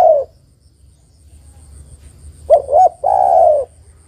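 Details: A female spotted dove calls a male, a luring call. The tail of a falling coo, a long quiet gap, then two short notes and a long, gently descending coo.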